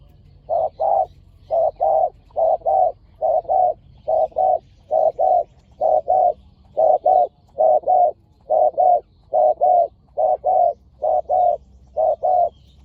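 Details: A long run of rhythmic cooing from spotted doves at a decoy-luring session, both birds described as fierce. Paired low notes repeat steadily, about twenty couplets in thirteen seconds, over quiet background.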